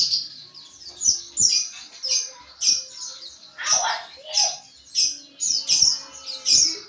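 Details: White-eye (pleci) giving ngriwik chatter, used to train other pleci: rapid, very high, thin twittering phrases about every half second, with a lower, fuller chirping burst near the middle.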